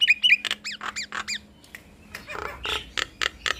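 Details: Nias hill myna duet meant to make other mynas call back quickly: short bright whistles and chevron-shaped squeaks, then harsh clipped notes and clicks.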